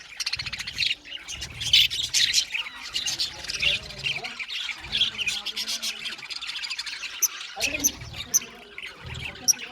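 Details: Budgerigars in an aviary colony chatter together in a dense, continuous mix of warbling chirps and scratchy squawks from many birds at once.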